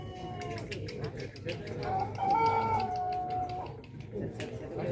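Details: Pelung rooster at a crowing contest, the LPN Cup final in Indonesia; one long drawn-out crow rising then holding a smooth sustained tone for nearly two seconds before falling, over crowd chatter and background noise.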